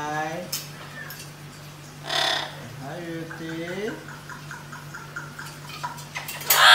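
A blue-eyed cockatoo gives a few voice-like, rich calls: a falling one at the start, a harsh burst, then a longer rising-and-falling note. A steady indoor hum underlies it.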